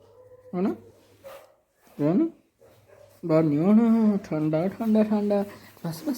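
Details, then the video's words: A pet talking parrot imitates human speech in short, nasal, wavering phrases, a few quick syllables then a longer run of words, with a low steady hum behind. "बोलने वाला तोता | bolane wala tota | talking parrot | parrot talking"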